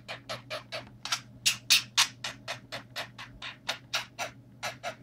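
A budgerigar gives rapid, harsh, scratchy chirps, about four each second, over a faint low hum.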